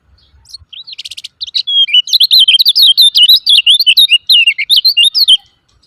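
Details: Lemon-bellied white-eye 'ciak ciak' call, used to goad quiet birds into song. A buzzy rattle opens, then a rapid, loud stream of squeaky, zigzagging high chirps runs without pause for nearly four seconds.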